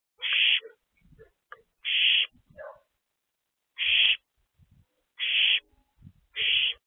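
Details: Owls in a nest box during an active night, evening of 23 April 2024. Harsh, hissing screeches come in short bursts of about half a second, five in seven seconds, with faint soft clicks and rustles between them.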